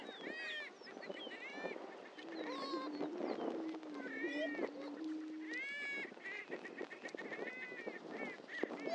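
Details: Greater prairie-chickens at the historic lek on Dunn Ranch Prairie, Hatfield, Missouri: a low, hollow, steady boom held about three seconds, overlaid by many rising whoops and harsh cackles from several birds.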